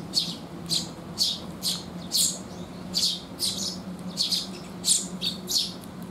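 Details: A flock of sparrows comes for food on a rainy day, 19 June 2021. Sharp chirps follow each other roughly twice a second, above a faint steady hum.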